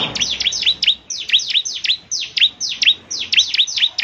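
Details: Bar-winged prinia, a lively song meant to make other prinias answer: rapid V-shaped high chirps dipping and rising, about two per second in quick irregular runs, clean high notes with little background.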